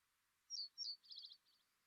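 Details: A quiet, hesitant Reed Bunting song with long pauses, heard in Ireland in spring: two short, high chips, then a brief, slightly buzzy jangle and a faint tail note, like 'one, two, check-check'.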